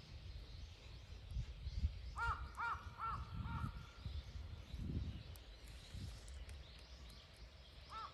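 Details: Crow recorded on 12 November 2024 gives four quick, hoarse, evenly spaced caws, then a single caw at the end, over steady low rumbling background noise.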